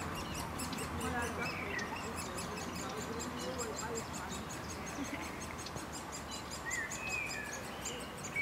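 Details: Great spotted woodpecker family, adults flying back and forth to feed three young at a nest in a beech in a Leeuwarden city park; the young keep up fast, continuous harsh chatter, with other bird chirps and a low murmur.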